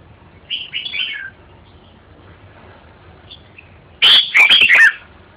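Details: Red-whiskered bulbul singing: two soft warbled phrases early on, then a loud, rich burst of chirping, whistled notes with sharp clicks near the end.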